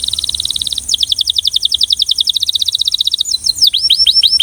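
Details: Rhythmic Belgian canary song: a rapid high trill, then a slightly lower run of quick repeated notes, ending in a few loud downward-swept whistled phrases.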